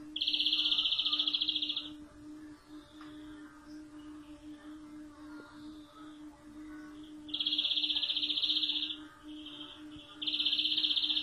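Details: European greenfinch singing rapid, rolling metallic trills, one long bout, a pause, then two more bouts near the end, with a steady low hum throughout.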